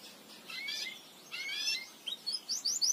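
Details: Belgian canary song used to teach and encourage canaries to sing: short bursts of high chirps and rising whistled sweeps, ending in quick upward notes climbing higher.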